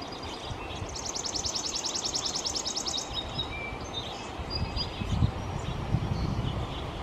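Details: Chipping sparrow singing: a dry, rapid trill of evenly spaced high chips lasting about two seconds, followed by scattered faint chirps from other birds over a steady low rumble of background noise.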